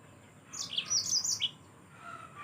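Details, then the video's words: Yellow-fronted canary song offered as masteran, a tutor recording for other cage birds: a quick burst of high, bright, tumbling twittered notes lasting about a second, followed by quiet with a faint lower whistle. "Mozambik anda pasti ikut Gacor"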